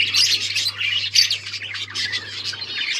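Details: Budgerigars recorded October 31, 2023, chattering nonstop: a dense warble of fast high chirps and scratchy twitters, with a steady low electrical hum underneath.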